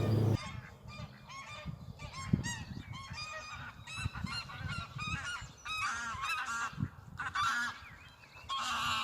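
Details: An angry-looking goose near ducklings in spring, near York, honks in quick, overlapping, nasal bursts, several birds calling at once, over a low rumble of wind or handling noise.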